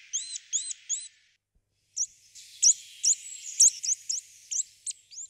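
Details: Eurasian nuthatch (Sitta europaea) calling, Czech Republic: three quick arched whistles, a pause, then a run of sharp, high, clipped notes about three per second.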